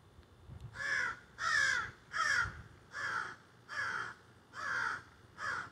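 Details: Crows that had just flown up into trees in a backyard squawking and carrying on, recorded on a cell phone: seven harsh, raspy caws in a steady series, roughly one every 0.7 seconds, loud and close.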